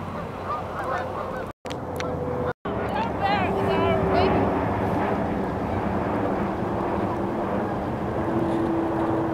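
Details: Geese at Beaver Dam Flats, Calgary, Alberta, setting off from the riverbank for warmer climates. Honks come in quick rising bursts over a low engine-like hum, with two short dropouts early on.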